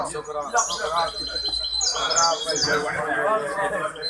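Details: Hybrid goldfinch singing at a song competition held by the Ain Chock association on 23 May 2021; bright twittering phrases and high trills over steady chatter of people talking nearby.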